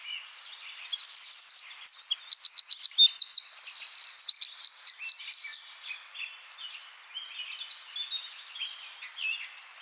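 A Eurasian wren pours out a loud, high, rapid song of fast trills and bright whistled notes for about six seconds, followed by softer twittering.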